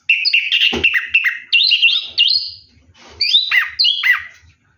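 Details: Orange-headed thrush singing while bathing at night, a loud rich song of fluid warbled phrases with quick rising and falling whistles, delivered in two bursts separated by a short pause.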